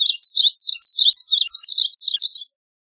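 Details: Varied bunting song, a continuous two-and-a-half-second warble of quick, high, slurred notes rising and falling in a chattering sequence, ending abruptly into silence.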